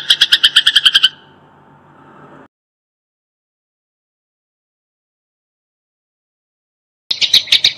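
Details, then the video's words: Eurasian tree sparrow, a lively fighting-type bird, gives a tight, rapid burst of harsh, bright chirps, about ten in a second, then a long silence before the chirping resumes. "TEMBAKAN RAPAT || GEREJA TARUNG GACOR"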